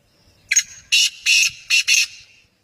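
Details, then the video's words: Harsh grating call of a black francolin (kala teetar): five loud raspy notes in roughly one and a half seconds, the first clipped and short, the others longer and paired, with a quiet background. "kala teetar ki awaz"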